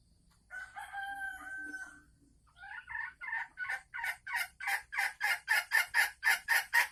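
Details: Caged female Sumatran red junglefowl cackling before laying eggs, recorded 24 December 2020; a drawn-out harsh call gives way to a fast series of loud, rhythmic cackling notes, about four per second, rising in volume.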